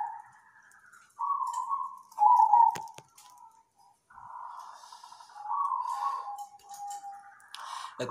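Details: Local zebra dove singing. Several separate cooing phrases, some trilled and some smooth, are broken by brief pauses. Clicks, faint higher chirps and small background noises sound between the phrases.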